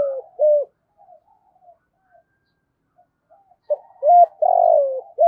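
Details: Spotted dove kept as a decoy to draw in wild birds, giving soft mellow coos: a pair of short hooted notes, a quiet gap with faint murmurs, then a rolling descending coo phrase framed by clipped hoots.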